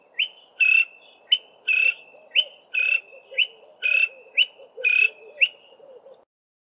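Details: A male greater honeyguide in a tall pine tree gives its loud, ringing 'vic-tor' call about once a second, a short note then a longer one, over a faint low hum. The sequence starts with 'tor' and ends with 'VIC'.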